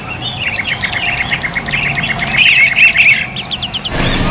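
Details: Oriental magpie-robin (kacer dapur) in full song at a bird-market kiosk, singing a fast run of high, sharp repeated notes and squeaky phrases, with a brief burst of noise at the end.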